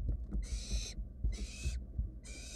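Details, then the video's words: Barn owl nestlings, wild birds in a research nest box, beg and search after a sibling gulps down a mouse. Three long rasping hisses, each about half a second, with soft knocks and low hum between them. "Barn owl nestling swallowed it so fast that its siblings keep searching"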